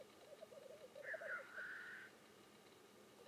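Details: Lekking black grouse in display: a soft bubbling rookoo murmur underneath a loud, drawn-out hissing whoosh lasting about a second, the bubbling carrying on after it fades.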